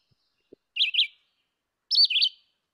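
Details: Red-eyed Vireo sings two short, high, burry whistled phrases about a second apart, a question and answer remembered as "here I am, where are you", higher-pitched and faster than the similar Yellow-throated Vireo. A faint tap comes just before.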